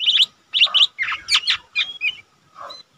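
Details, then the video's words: Lesser green leafbird (cucak ijo mini), a bird not yet fully trained that already sings readily, gives a rapid, varied run of bright chirps and short whistled notes in quick bursts over a few seconds. "cucak ijo mini bahan udah rajin bunyi"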